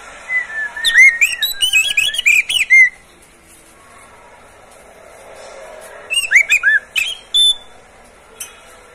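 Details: Oriental magpie-robin, a caged bird, used to prompt other birds to sing: two bursts of rapid whistled notes sweeping up and down, a rich warbling phrase of about three seconds, then a shorter phrase after a pause.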